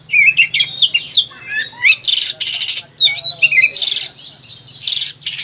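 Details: Caged Oriental magpie-robin singing agitatedly for training other birds: twisting whistled phrases alternating with loud harsh rasping squawks, plus a low steady hum beneath.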